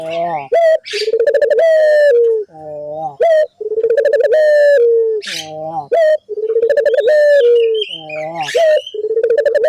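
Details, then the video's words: Vigorous dove cooing used as a lure to set other doves calling: loud, low, harmonic coos in long rolling phrases, each ending in a short rising note, repeated several times with brief pauses between. "pancingan burung puter gacor,bikin puter lain ikut bunyi"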